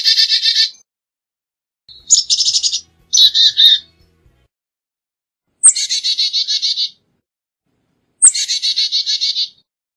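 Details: Black-capped chickadee giving its calls: five bursts, each a high sharp note followed by a rapid run of buzzy, nasal dee notes lasting about a second, spaced two to three seconds apart, with clean silence between.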